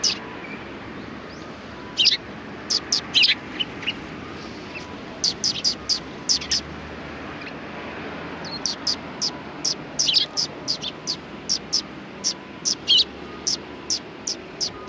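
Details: Sparrows chirping at a Tenmangu shrine in Japan, 1 March 2020: clusters of short high notes in irregular bursts, busier toward the end, with a low background rumble.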